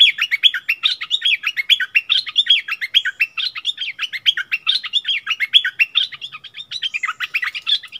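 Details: Fierce duel between a bulbul and a wild bird, recorded 27 March 2021; steady, continuous chattering song of rapid looping warbled notes, rhythmic and unbroken throughout.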